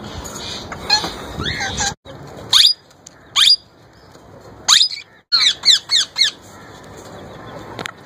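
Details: Captive young male plum-headed parakeet attempting to talk and imitate a ringneck parrot: scattered sharp squeaky notes, then a tight burst of four or five shrill calls, with some indoor noise between.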